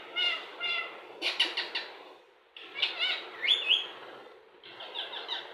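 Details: Indian ringneck parakeet mimicking speech: nasal, harmonic word-like syllables in short groups, a stuttering burst, a pause, then higher squeaky tones and a buzzy closing phrase.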